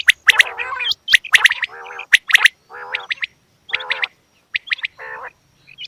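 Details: Female quail with harsh sharp chirps followed by repeated raspy, nasal buzzing calls about once a second, some with high flicked notes on top.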